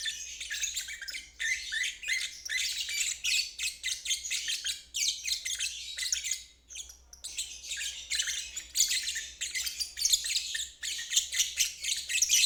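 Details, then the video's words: Ngeriwik trilling of a lovebird, played as therapy for birds that stall or juveniles learning to trill; long unbroken stretches of fast scratchy high chatter, dipping briefly around seven seconds before resuming. "Terapi Lovebird ngeriwik untuk burung macet dan balibu belajar bunyi"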